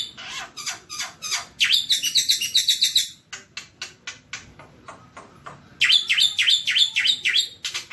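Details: Black-winged myna (jalak putih) tutor song, nonstop: loud, varied harsh chattering bursts mixed with bright whistled notes in rapid repeated phrases about three per second.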